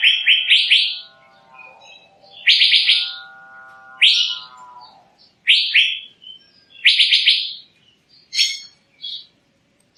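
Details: Asian fairy-bluebird sings fast runs of rising whistles and single upswept notes, while a steady, lower-pitched tonal drone sounds underneath during the first few seconds.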